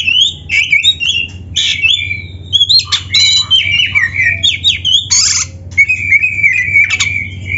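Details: Vigorously singing Oriental magpie-robin (kacer), a training recording for prompting lazy or novice captive birds; dense, continuous whistled phrases mixed with harsh, scratchy bursts and rising slurs, over a low steady hum.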